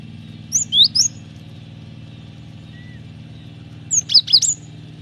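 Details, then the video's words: Cinereous tit in lively song for luring and training birds: two phrases a few seconds apart, each of three or four high, sharp whistled notes, over a constant low background hum. "Pancingan suara burung gelatik batu gacor ampuh masteran suara burung gelatik batu gacor"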